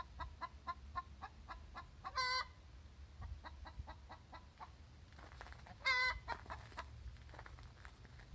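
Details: After laying an egg, a hen calls her egg song: rhythmic clucks accelerate into a long raucous squawk, then a pause, more clucks and a second squawk about four seconds later.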